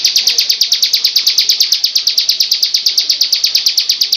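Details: A bar-winged prinia, called ciblek, sings a Cristal-style song: a continuous, fast rattle of high, sharp, evenly spaced notes with little else audible.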